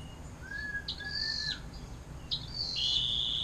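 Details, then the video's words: Canary singing the 'air mancuran' style used to tutor other songbirds: downslurred whistles, sharp high notes and a short, sustained high trill at the end. "KENARI DENGAN LAGU AIR MANCURAN PANJANG MANTAP BUAT MASTERAN"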